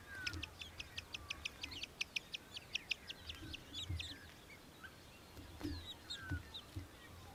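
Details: Australian hobby (Falco longipennis) recorded in Victoria, Australia, December 2023: a fast run of sharp, high clipped notes in the first three seconds, then scattered fainter chips, with low background rumble.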